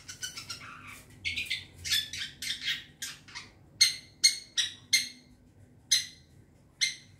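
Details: Young wild forest long-tailed shrike, kept as lure sound: rasping chatter notes at first, then a series of short, clear, sharp ringing notes spaced about half a second to a second apart.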